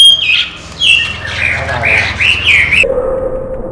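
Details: Chinese hwamei, a trained pet bird that flies out of its open cage and returns to it, singing a run of loud whistled phrases, each sliding up or down, then falling silent as a steady low hum continues.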